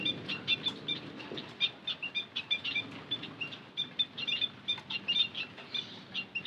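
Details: Bondol haji lure sound: dense, rapid high-pitched twittering from multiple birds, notes repeated several times a second throughout.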